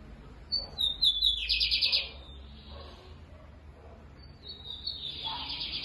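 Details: Loud, deep-voiced lined seedeater recorded on an April afternoon: a high phrase of quick thin notes collapsing into a coarse buzzing trill, followed after a pause by a second, fainter buzzy phrase rising in volume.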